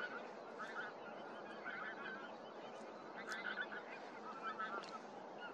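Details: At Starene in 2023, massed pink-footed geese keep up a busy babble, with short sharp honks standing out every second or so over the low flock drone.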